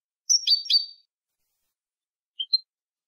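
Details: European goldfinch song used to teach young goldfinches: a short burst of two or three quick high chirps, followed after a pause by two tiny thin notes, in an otherwise silent recording.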